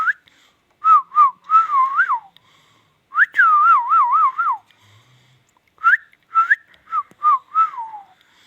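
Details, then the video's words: Indian ringneck parakeet whistling a melodic tune: wavering, warbled notes in short phrases separated by brief pauses, some rising slides and trills, indoors. "talking I•ndian |king| Parrot |Indian ||dancing to |magical |ringneck| parrot |amazing |ringneck|"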